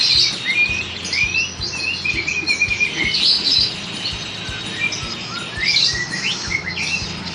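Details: White-rumped shama, a caged bird taken into a crowded place so it loses its fear of people, giving clear whistled phrases that slide up and down, with a steady hum of motorcycles and traffic underneath.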